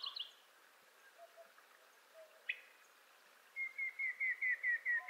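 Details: A Montezuma quail in western North America gives a quick series of about seven clear, whistled notes that step slowly downward in pitch, after fainter scattered chips in a quiet outdoor setting.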